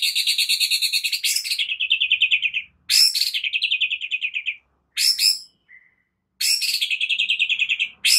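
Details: White-rumped shama morning training song meant to spur other shamas into singing: long rapid rattling trills repeated in bursts with short pauses, high ringing notes above, no other sounds.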